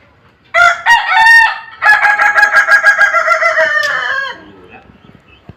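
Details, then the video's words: Sunned Kokok Balenggek rooster crowing: two short opening notes followed by a long, stepped crow made of rapid pulsed syllables that falls slightly before trailing off, with a quiet background afterwards. "Keseruan jemur ayam kukuak balenggek"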